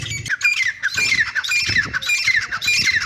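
Grey francolin calling in loud, harsh, high squawking notes, repeated in quick ringing phrases about every second, with some low thumping background noise.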